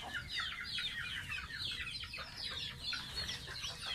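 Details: Baby pet goose taking a bath: a steady stream of high, thin peeps, each sliding downward, tumbling over one another with hardly a pause.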